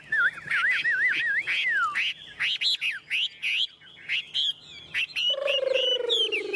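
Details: Chinese hwamei kept in a cage, well tamed, singing a wavering warbled whistle followed by loud separated sharp phrases and a long lower descending whistle at the end.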